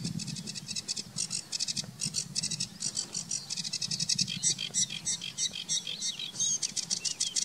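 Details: Eurasian reed warbler, possibly, as the recordist suspects, singing less vigorously, at Weerribben on 18 May 2018: a steady, chattering run of high, scratchy notes, each phrase repeated two or three times, over a faint low rumble.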